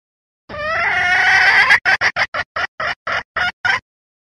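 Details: Red junglefowl hen used as trapping lure to provoke wild roosters: a long, rising, nasal squawk, then nine sharp clucks at quickening, roughly even intervals, no background noise.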